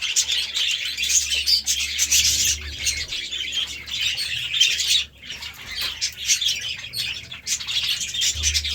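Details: Budgies eating seeds and greens: loud, bursting warbles and chirps rise and fall in waves, with a brief lull around the middle and a faint low hum underneath.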